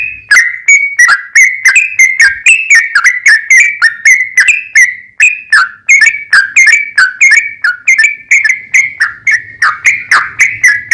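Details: Sooty-headed bulbul singing a long 'ropel panjang' sequence used to lure other bulbuls into song. A continuous stream of quick, bubbly whistled notes shifts slightly up and down in pitch.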